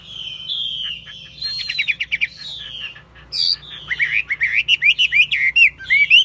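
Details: Chinese hwamei, a caged bird reported as eager to sing and steady in fighting tests, gives long smooth whistles at first, then loud clicks and a fast series of wavering, looping whistled notes repeated almost twice a second.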